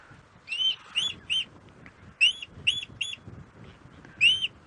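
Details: Shikra calls during a 5:30 AM sunrise safari drive at Djuma Game Reserve on 17 October 2016. These may be playback the guide played near an old shikra nest, hoping to draw the pair. Sharp, high, ringing notes in bursts of two or three, over low rumble.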